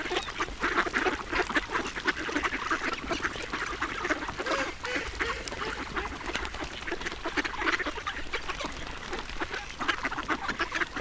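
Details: Ducks being fed give dense, continuous chatter: harsh, nasal quacks and gabbling notes overlapping without pause, with splashing and dabbling noises mixed in.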